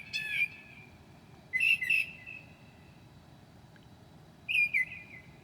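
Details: Northern mockingbird imitating other birds at 2 a.m. in July: scattered short slurred chirps separated by quiet gaps of a second or more.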